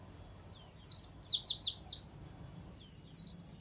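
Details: White-eye song used to tutor captive pleci, with canary phrases: a fast sequence of about seven high, sharp downslurred whistles, silence, then another quick phrase of falling notes begins, over a low faint hum.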